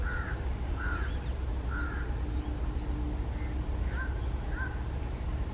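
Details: Red-breasted parakeet (Psittacula alexandri) resting on a treetop on a lazy early-summer afternoon gives harsh, grating squawks about once a second, with thin higher chirps between them over a steady low rumble.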